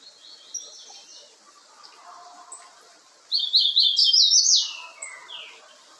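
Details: Young double-collared seedeater singing. After three quiet seconds comes a loud burst of rapid, high twittering notes lasting just over a second, followed by a few softer falling whistles.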